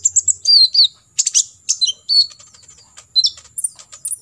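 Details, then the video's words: Olive-backed sunbird tutor song in 'tembakan isian' style: squeaky high twitters and quick descending slurs in short clusters, ending with thin rising whistles, a steady high hum underneath. "KOLIBRI NINJA (KONIN) FULL TEMBAKAN ISIAN"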